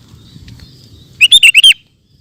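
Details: A sooty-headed bulbul delivers a quick burst of five bright, bubbling whistled notes in ropel style, with faint rustling beforehand.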